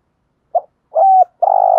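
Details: Cooing spotted dove in 'thúc gù' style, meant to make captive decoy birds respond: a brief soft note, a smooth mellow coo, then a long buzzy rolling note starting.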